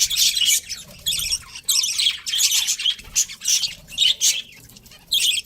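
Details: Pet budgie breeding pair: short bursts of high, scratchy chirps and squawks, each lasting about half a second, repeated roughly every second with quiet gaps between.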